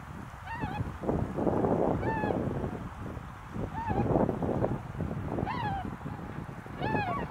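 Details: Wintering flock of tundra swans at Azumino on a snowy, overcast day at -4°C, giving repeated honking, slightly rising hoots every second or so over a steady background rumble and wind.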